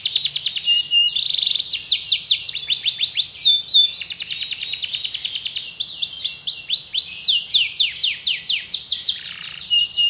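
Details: Canary singing a serpentine-style song: rapid trains of high, sweeping notes repeated many times per second, alternating with buzzy rolls and brief sustained tones, continuous for ten seconds, no other sounds.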